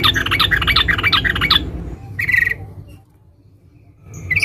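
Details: Sooty-headed bulbul female calling for a male: fast, jumbled chattering chirps for over a second, then a single short buzzy trill burst, near silence, and a final brief note, with low hum underneath.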